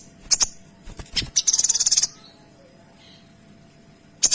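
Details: Kinoy sings a sharp, clear run used for tutoring: scattered crisp high clicks, then a fast even chatter of about ten rapid notes, a pause, and a final pair of sharp notes.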